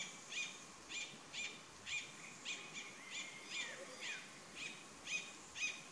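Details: Mountain cacique at Vereda La Cristalina, Neira, Caldas, at 2,400 m altitude, gives short, harsh, ringing notes about twice a second in an uneven series, with a faint background hiss.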